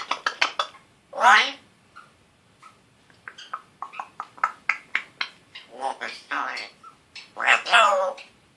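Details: A young pet African grey parrot, a year old, chatters indoors with rapid clicking bursts, two drawn-out rasping raspberry-like sounds and a run of short scratchy syllables resembling speech.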